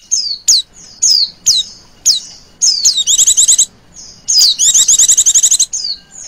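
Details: Oriental white-eye hen used as a lure, giving 'ngecir' chirring: several single sharp down-slurred whistled notes spaced about half a second apart, building into two rapid buzzy trills near the end.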